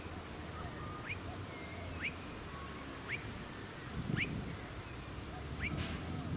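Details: Blue-faced Honeyeater filmed alongside Noisy Miners on the Sunshine Coast, Queensland, in August 2020: five short, sharply rising piping notes about one second apart over steady low background rumble.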